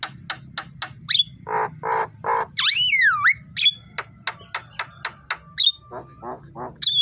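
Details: Morning song of a Javan myna, recorded for training birds: sharp clicks and ticks, whistled upslurs, three rasping notes and a long looping whistled phrase, then more clicks against a steady low hum.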